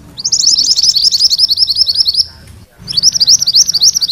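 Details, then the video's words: Rolling ngerol song of a mantenan kuning, a compilation used to tutor magpie-robins: a dense run of quick, sharp, high-pitched notes for two seconds, a brief pause, then the rapid rolling resumes. "Suara MANTENAN KUNING ngerol"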